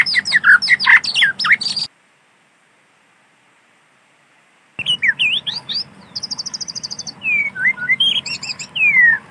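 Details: White-rumped shama singing in wild forest: dense, sharp notes for about two seconds, then a silent gap, then resumed song with slurred whistles and a quick high trill.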